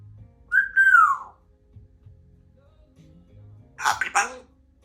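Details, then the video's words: A female Congo African Grey parrot, a talkative household pet, gives one clear whistle that rises then gently falls, then a few seconds later a brief breathy, speech-like burst, in a quiet room. "African Grey Talking Parrot"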